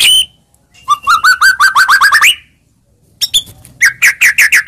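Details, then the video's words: Song of a white-rumped shama played to provoke an answer: a high opening note, a rapid rising series of clear whistled notes, a pause, then quick sharp chips and repeated slurred whistles. "Pancingan Begini Yang Disukai Murai Batu Seketika Langsung Nyaut"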